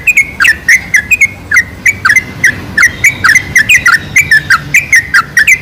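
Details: Sooty-headed bulbul lure to draw bulbuls into singing: busy, bubbly chattering of short slurred notes, some in pairs, rapidly repeated throughout.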